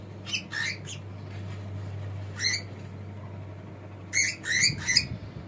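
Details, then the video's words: Pet cockatiel, male, giving scattered short scratchy chirps in small clusters against a steady low hum. "This Cockatiel Has No Idea How Funny He Sounds!"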